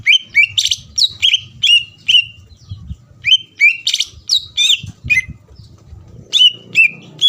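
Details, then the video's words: Greater green leafbird singing to stir up rival males: energetic sequence of sharp chips and down-slurred whistled notes, delivered in rapid bursts with brief gaps, faint low rumble beneath. "PANCINGAN CUCAK IJO GACOR AHLI MEMANCING CUCAK IJO LAWAN AGAR EMOSI"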